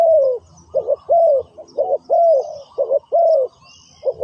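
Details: Spotted dove decoy luring wild birds at a ground trap, cooing in deep hoarse notes: a long falling coo, then quick doubles and another extended slurred coo, in a close, loud phrase.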